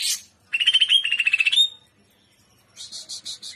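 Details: Greater green leafbird singing in the trotolan style, full jamtrok: a brief high buzzy note, then a rapid warbled trill of pulsed notes lasting about a second, a pause, and a fast stuttering high chatter.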